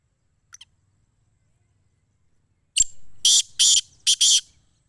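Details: Black francolin in Sindh, Pakistan. After a faint early tick and a sharp knock, four harsh, buzzy rasping notes sound in quick succession, the last two tightly paired.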